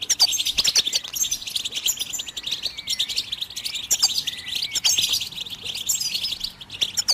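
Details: Goldfinch song meant to stimulate other birds keeps up a busy, high twittering of jangling notes and short trills, with brief sliding whistles and sharp ticking clicks throughout.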